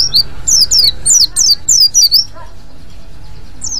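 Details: White-eye calling in ngriwik style to attract other white-eyes: about ten sharp, high, falling chirps delivered rapidly for two seconds, then near silence with one last faint chirp.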